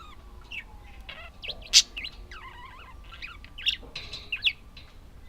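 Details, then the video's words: Pet budgerigars giving soft warbles and wavering chirps, with a faint steady hum and a few sharp clicks. "Волнистые попугайчики (budgies)"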